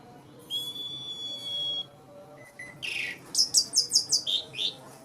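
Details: Asian pied starling (jalak suren), to lure nervous starlings: a sustained pure whistle, two low short notes, a rasping burst, then a quick series of about six harsh chirps.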